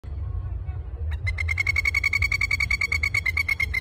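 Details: A pair of masked lapwings, displaying their yellow lappets in Sydney's Royal Botanic Garden, break into their loud, strident chatter of sharp, rapid notes, about eight per second, over a low background rumble.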